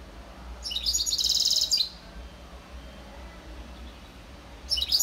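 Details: A European serin mule (hybrid) recorded in 2021 sings a very high, rapid, jingling trill lasting about a second, then begins another burst at the end, over a low background rumble.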